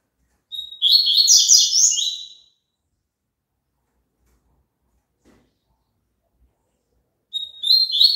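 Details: Double-collared seedeater song, offered for a kept papa-capim to sing along: a short pure whistle leads into a quick, buzzy, warbled high phrase lasting about two seconds, then silence before the next phrase begins.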